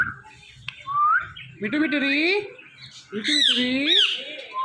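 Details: Morning calling by a pet male and female Indian ringneck parrot pair on a door: a rising whistle, then loud, harsh, strongly harmonic squawks, ending with another faint whistle.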